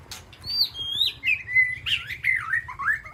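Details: Aviary-kept white-rumped shama calling to its flock: rich, varied whistles that slide downward into warbling, melodious phrases, with a faint low hum beneath.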